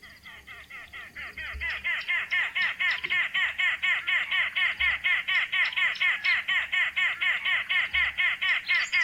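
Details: Arrow-marked babblers (Turdoides jardineii) of southern Africa give a loud, harsh, laugh-like chatter of grating notes, about two per second, keeping up a steady rhythm throughout.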